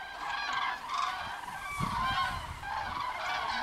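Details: Continuous chorus of bugling, rolling calls from common cranes flying in single file back to their roost, many birds calling over one another with a low rumble beneath.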